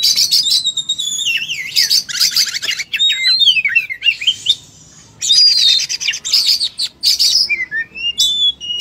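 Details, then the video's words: Oriental magpie-robin (kacer) in full fighting mode ('full tarung'), pouring out its learned repertoire: rapid, varied high whistles, sweeping slurs and buzzy rattling bursts, with a short pause near five seconds before the torrent resumes. "Kacer full tarung muntah materi"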